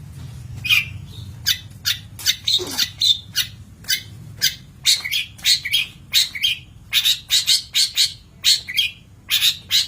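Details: Long-tailed shrike song on a master recording for training birds, a fast, varied jumble of scratchy notes, chirps and short slurred whistles delivered in quick bursts with brief pauses.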